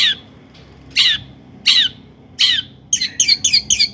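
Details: Long-tailed shrike song meant to provoke other shrikes into singing: three harsh, downslurred squawking notes spaced under a second apart, then a quick burst of five rapid, higher chirps.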